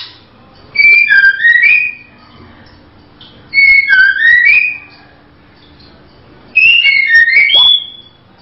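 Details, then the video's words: A female white-rumped shama repeats a similar phrase of clear, sliding whistled notes three times, roughly every three seconds, with soft background hum between phrases. "SUARA BURUNG MURAI BATU BETINA"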